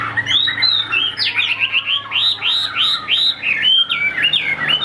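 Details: A caged Chinese hwamei, kept for its excellent voice, sings arched whistled notes in quick succession, some repeated in a series of similar loops, accompanied by faint high clicking sounds.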